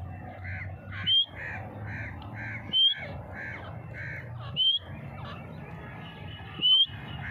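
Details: Grey francolin calling: a loud, sharp note rising to a high whistle, repeated roughly every two seconds, four times, with softer rhythmic background sounds and a low hum between calls.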